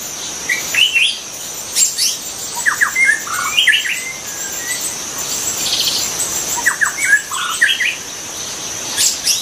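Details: Wild white-rumped shama singing: clusters of clear, varied whistled phrases and sharp upslurs come in several bursts with short pauses, over a steady high insect drone.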